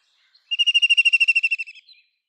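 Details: White-throated kingfisher giving a rapid, rattling trill of about fifteen sharp pulses over a second, high-pitched and slowly falling in pitch and loudness toward the end, against a silent background.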